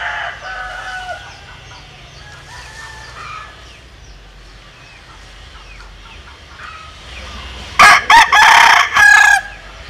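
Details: Bantam rooster of Japanese and Cuban descent lets out a loud, strong crow near the end: a clipped opening, a long harsh middle and a final drawn note, after several seconds of quieter distant crowing.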